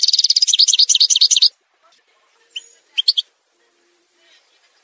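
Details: Algerian goldfinch, parva, in a song montage used for tutoring: a dense burst of rapid liquid twitters lasting about a second and a half, then a few scattered sharp chip notes after a pause.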